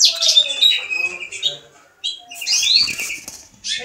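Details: Caged Mexican house finch ready for mating, heard in high warbling, slurred notes amid fluttering and rustling sounds, with a quieter stretch midway before a louder rising twitter.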